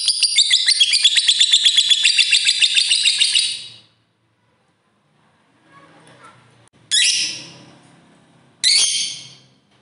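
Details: Long ngekek trill of a fighter lovebird, played to get other lovebirds singing: nearly four seconds of rapid, shrill, evenly pulsed chattering, then quiet, then two separate sharp descending screeches.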